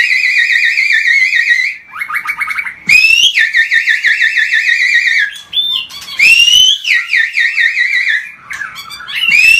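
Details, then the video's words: White-rumped shama singing non-stop in an agitated mood to provoke other birds: loud, rich warbling trills with wavering pitch, repeated in long bursts separated by short pauses and sharp upswept notes. "Pancingan Murai Batu Emosi, Gacor Nonstop 24 Jam❗❗ AUTO Buka Paruh Langsung Ngamuk"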